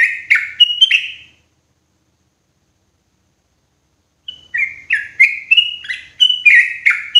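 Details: Loud, clear yellow-vented bulbul lure call for trapping birds in forest: a burst of throaty, bubbling notes, about three seconds of silence, then a longer series of quick slurred chirps stepping up and down.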